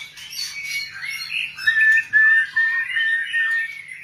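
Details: Song of a white-rumped shama: soft jumbled chatter at first, then louder clear whistled notes and slurred warbles that rise and dip. A quiet constant hum sits underneath.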